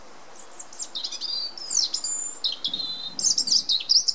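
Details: A European robin sings in spring on 20 March 2019, a sunny day with some wind: a fast run of high, thin, liquid phrases with sliding whistles and brief trills, changing every second or so, over soft hiss.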